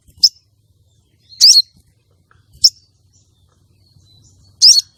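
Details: Female common iora calling to excite a male for contests: four high notes, brief sharp chips alternating with longer buzzy slurred calls, widely spaced in quiet.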